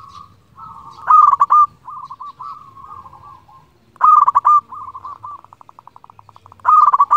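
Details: Local zebra dove cooing to call rivals, used as a lure for trapping: loud rolling, trilled coos that repeat every few seconds, each followed by softer stuttering coo notes.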